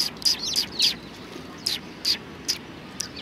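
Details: Eurasian tree sparrows, 29 November 2019, a bird arriving to be given insects; a quick cluster of sharp chirps with a slurred twitter at the start, then four spaced single chirps.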